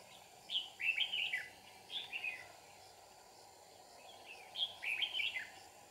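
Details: Red-whiskered bulbul sings while a trap is set in Kim Bôi, Hòa Bình, in a fighting-song context: two groups of quick, liquid, up-and-down whistled phrases about four seconds apart, with a constant background drone.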